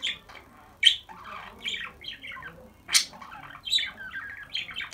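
A budgerigar warbles a rapid, chattering run of scratchy squawks, clicks and thin chirps.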